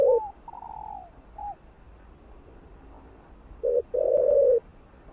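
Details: Spotted dove cooing, played to stimulate other doves to call: a short low note, a longer higher cooing phrase, a brief note, then after a pause two low rough coos, the last drawn out, in a quiet room.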